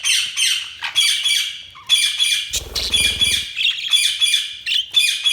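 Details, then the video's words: Several budgerigars chirping and squawking almost continuously, bright harsh notes in dense bursts, with a brief low rumbling thud near the middle. "Budgies Sounds| Budgies Chirping sound"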